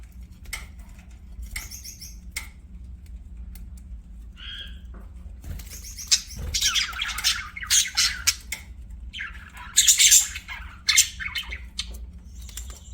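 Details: Budgerigar sounds with sparse high chirps early on, then loud, harsh, broadband squawks and chattering bursts toward the end, over a constant low-pitched hum.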